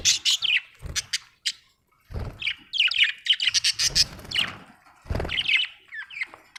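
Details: Budgerigar chirping busily: rapid harsh clicks, squawks and warbled tweets almost without pause, mixed with low thuds and knocks in the background.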